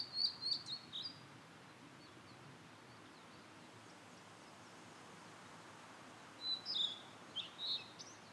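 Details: Blue-and-white flycatcher singing in satoyama countryside woodland: two short, faint bursts of high whistled notes, one at the start and one near the end, separated by a long quiet stretch over a steady background hiss.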